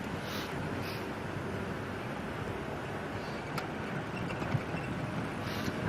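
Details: Steady low rumble of wind and engine noise with faint murmured voices, and no animal calls.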